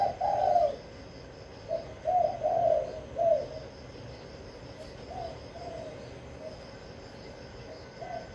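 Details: Caged decoy spotted dove in Vĩnh Long, Vietnam, calling to lure wild doves: a strong phrase of hollow coos at the start, then weaker, scattered cooing notes fading out.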